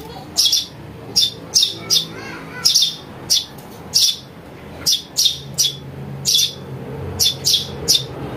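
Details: Sparrow nestling calls used to attract birds for trapping: loud raspy chirps in irregular pairs and singles, separated by short pauses, against a low hum.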